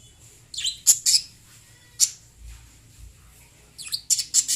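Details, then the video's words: Chirping lovebirds give loud, piercing high squeaks and short twittering bursts, some doubled, with a run of rapid chirps at the end and little else audible. "Love birds singing and chirping sounds"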